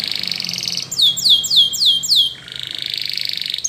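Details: Spanish Timbrado canary song used for training other canaries: a bright sustained trill, then a run of five fast descending whistled notes, then a lower rolling trill, all high and clear indoors.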